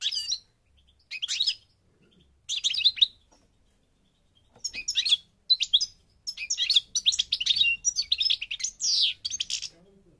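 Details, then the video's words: Goldfinch of the parva type from Morocco, North Africa, opening with three scattered twittery bursts and a long pause, then launching into a denser, continuous run of tinkling, buzzy chatter toward the end. "The Goldfinch's Song North Africa - Parva Morocco Bird Song"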